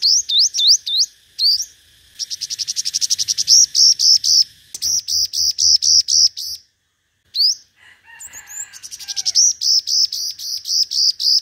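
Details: Five-coloured sunbird lure recording of competitive singing: looping rising notes, then long fast series of high chips in rhythmic runs, broken by a short pause and a few lower twittering sounds.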